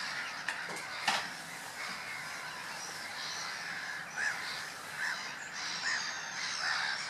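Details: A drake Garganey on Woolston Eyes No.3 bed, 10 May 2014, gives short, dry, crackling rattles about a second apart. A steady background hiss runs throughout, with a few sharp knocks early on.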